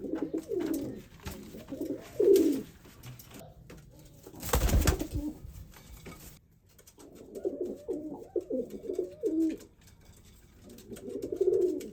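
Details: White male pigeon in a zoo cooing to attract a brown female for pairing; groups of low rolling coos, interrupted midway by a brief loud broadband thump or rustle, then more cooing.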